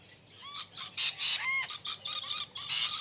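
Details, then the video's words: Caged exhibition budgerigars chattering steadily, a run of quick raspy notes about three per second, some with curved warbling tones, forming a continuous busy warble. "Parrot Natural Voice | You Can Hear Different Types of Sounds | Parrots Talking Sound"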